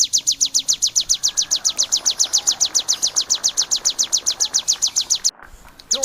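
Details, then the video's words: Bar-winged prinia, known locally as ciblek kristal or prenjak sawah, kept as a cage bird and used as a master recording for songbirds: a rapid run of sharp high chips repeated nearly four times a second, with a brief break near the end. "CIBLEK KRISTAL TEMBAKAN SADIS!!! MASTERAN & TERAPI BURUNG JUARA"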